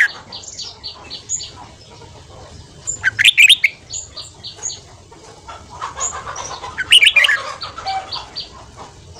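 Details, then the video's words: Red-whiskered bulbul singing a fast morning 'ché' training song meant to stimulate a wild-caught young bird: loud warbled, rising and falling phrases in two bursts, between thin repeated high chirps and soft background calls. "Luyện giọng chào mào hót sáng ché/kích bổi theo giọng nhanh"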